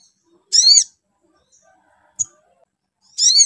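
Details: Spiderhunter call played to excite another bird into singing: two harsh, harmonic-rich bursts about a third of a second long, nearly three seconds apart, with a sharp click between them and silence otherwise.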